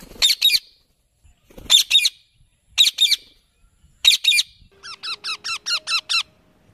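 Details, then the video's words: Grating paired screeches from a ringneck parrot, four bursts in a row, followed by a quick series of seven short, even, tonal chattering notes. "Ringneck Parrot Sounds"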